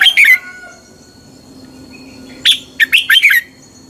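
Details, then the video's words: Red-whiskered bulbul singing in a fighting-song style for training: a brief double whistled note, a quiet gap with a faint thin whistle, then a rapid run of five sharp, bright, descending whistled notes. "Luyện chào mào hót sáng. chào mào hót đấu"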